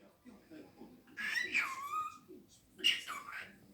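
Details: Two-year-old pet cockatiel indoors, known for saying good morning in Polish and its own name, producing two bursts of high, speech-like talking with sliding, nasal tones separated by a short pause.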